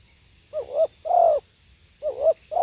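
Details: Live spotted dove song: hollow, rounded coos alternating short and drawn-out notes, with the longer coo gently bowed in pitch, in quiet surroundings.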